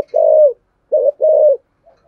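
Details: Spotted dove in the thổ sấm voice, singing its complete two-ending song: one long low coo, a pause, then a short coo and another long steady coo, with a faint note at the end.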